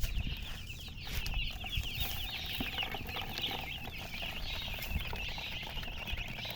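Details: Newborn chicken chicks peeping loudly and continuously, many bright high chirps overlapping, with a low rumbling background and occasional soft thumps.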